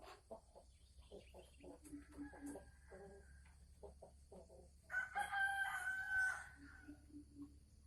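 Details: Caged female Sumatran red junglefowl cackling (ngekek) before laying, 24 December 2020: a string of short clucks roughly every half second, then a longer drawn-out harmonic call lasting over a second.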